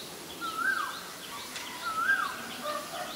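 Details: Black-collared starling in Ubon Ratchathani, Thailand, 17 April 2022, giving two loud, slurred whistles, each rising then dropping, about 1.4 seconds apart, over soft high chirping from other birds.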